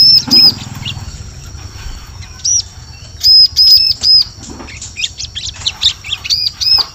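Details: Bar-winged prinia giving bright, high arched notes in scattered bursts with fainter chirps between, recorded as a lure call for attracting birds in the forest.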